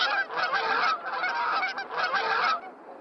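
A goose gives harsh, nasal honks, about three loud blasts in quick succession, each lasting under a second, with no other sounds.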